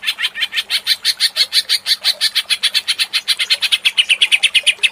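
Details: Agitated greater green leafbird in ngentrok singing. Rapid, harsh repeated notes run for five seconds and grow slightly quicker and higher toward the end.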